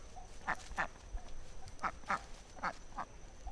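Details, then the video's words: Ducks with ducklings: faint, nasal quacks in irregular pairs and singles over a steady low background hum. "Noise of ducks, ducklings"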